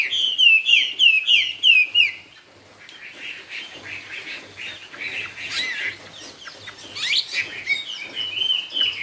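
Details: Chinese hwamei, a 'cao cầu' style singer, in loud song: a run of repeated sharp descending whistled notes, then a varied jumble of rich warbled phrases at lower volume.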